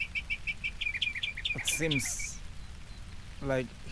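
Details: Northern mockingbird, a permanent resident living in a tree at a reservoir's edge in New Jersey, sings in the rain: a fast series of about sixteen repeated short chirps, followed by a person's voice.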